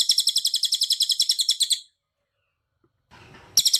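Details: Cililin in full tembakan rapat delivery for masteran training: a fast, bright run of about twenty clipped high notes lasting nearly two seconds, a pause with brief hiss, then another burst begins.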